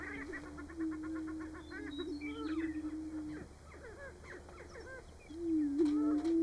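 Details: At a Nebraska prairie-chicken lek in March, Greater prairie-chickens give long, even, low booming notes lasting over a second, broken by short clucks and whooping cackles from the flock.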